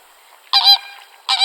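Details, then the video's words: A flamingo gives two loud, nasal, goose-like honks about three-quarters of a second apart, the first drawn out and wavering. "FLAMINGO VOICE"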